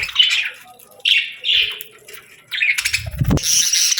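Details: Parakeets chirping in summer: separate short buzzy chirps, then a sharp low thump and a burst of noisy chatter.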